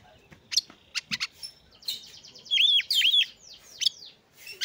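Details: Oriental magpie-robin song meant to set other magpie-robins singing: scattered sharp ticking notes, then a rich run of loud, pure downslurred whistles followed by softer sweeping phrases.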